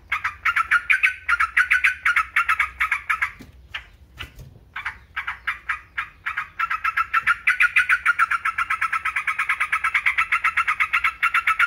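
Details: Yellow-vented bulbul chattering in a fast, rhythmic series of harsh notes. A short broken patch midway gives way to a long steady run.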